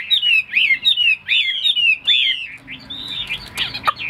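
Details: A tame captive Chinese hwamei gives fast, loud whistled notes, each swooping down then up, in a rapid run. A rougher, noisier stretch follows near the end.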